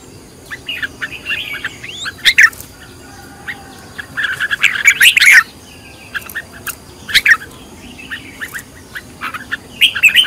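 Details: Red-whiskered bulbul being trained as a decoy bird, with scattered chirps building into dense, loud whistled phrases around two, five and seven seconds, and quieter pauses between.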